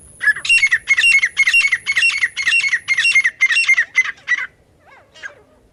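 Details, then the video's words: Loud, harsh partridge call used to attract partridges for catching: about a dozen rasping, squawked notes in a rapid run, then a couple of fainter trailing notes and silence. "एक से एक बढ़कर तीतर पकड़ने की आवाज! The sound of catching partridges is better than the other"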